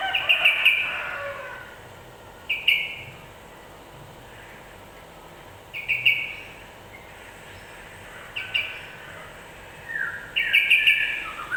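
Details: Yellow-vented bulbul song used as a provoking sound to make other birds agitated quickly: short bursts of bubbly chirping notes come every two to three seconds over a steady background hiss.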